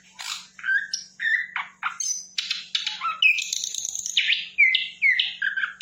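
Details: Flycatcher singing energetically: a fast, varied run of short chirps, sharp whistled notes and buzzy trills, mostly high-pitched, with phrases changing every fraction of a second. A faint low steady hum runs underneath.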